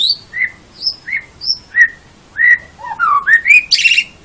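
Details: Caged-bird training song of a white-rumped shama, meant for morning or evening: clear whistled notes, alternating high and lower, spaced about every half second, then a quick rising run ending in a burst of buzzy high notes.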